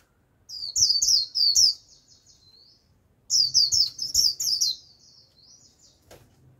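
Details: Decoy white-eye singing to lure a wild flock: two bursts of rapid, high, twittering warble, each about a second long, with thin trailing notes and a short pause between them, ending in a faint click.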